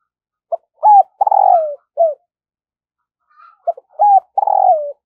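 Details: Decoy spotted dove in daily voice training for attracting wild doves; two deep cooing phrases, each a brief note, an arched coo and a drawn-out burry falling croon, separated by a quiet gap with a faint high chirp.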